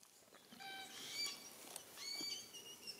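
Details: Glossy Black-Cockatoos in East Gippsland forest that survived the 2019–2020 fires, 2020; one gives two soft, drawn-out, wheezy calls about a second apart, with light rustling and patter in the background.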